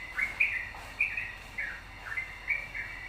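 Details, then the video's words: Yellow-vented bulbul in busy song, meant to provoke other birds to sing: clear, sparse chirps with little dipping slurs, spaced about half a second apart. "pancingan trucukan gacor"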